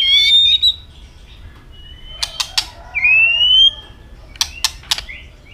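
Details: Fighting song from a white-rumped shama: high clear whistled notes, long thin sliding whistles with a bright rising one midway, interspersed with loud dry click pairs and triplets.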